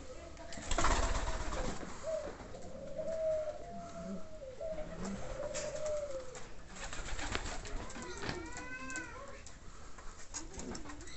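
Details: Andalusian homing pigeons cooing indoors: soft, low drawn-out coos that rise and fall, some with harmonic overtones, repeated over several seconds, with scattered clicks, shuffling and knocking from the loft.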